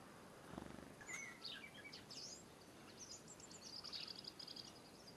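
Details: European robin giving high, thin varied notes, short whistled slurs and quick squeaky phrases scattered over five seconds, with a soft low thump near the start and steady background hiss.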